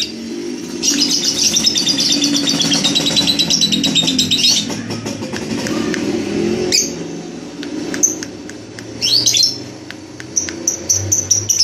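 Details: Red-headed lovebird practising its ngekek trill: a long, fast, high chattering trill sustained for about four seconds, followed by scattered sharp chirps and a brief squeaky burst, with a low hum in the background.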